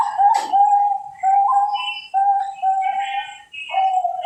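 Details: Captive Bangkok-type zebra dove from a farm in Central Java gives a series of separate low, steady coos, each under a second long. A short rough burst opens the recording, and faint higher chirps sound alongside.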